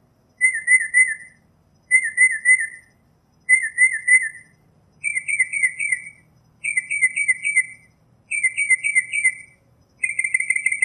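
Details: Northern mockingbird in nature singing wavering trilled phrases, three similar ones in a row, then a change to a choppier stuttering phrase repeated four times, each about a second long.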